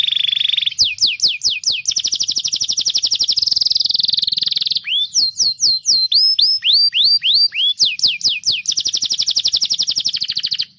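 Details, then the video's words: Canary song used to tutor young canaries and restart silent ones: a steady buzz, quick downslurred notes, a long rolling trill, then a run of rising whistles before a final rapid trill. "Kenari GACOR masteran burung kenari paud dan kenari MACET bunnyi"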